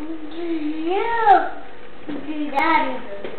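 An African grey parrot gives two sing-song, human-like phrases, each note swooping up and then down, with a quiet indoor hush behind.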